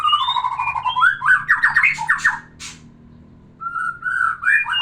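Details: Singing white-rumped shama, song meant to arouse a breeding female: a long wavering whistle rising into a fast chattering run of slurred notes, a brief harsh burst, a pause, then rich whistled phrases resume.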